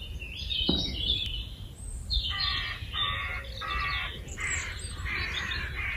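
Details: Noisy crows in Meopham on an early spring morning, 4 April 2021: after faint chirps from small birds, a string of five harsh, rasping calls follows at an uneven pace, over low background rumble.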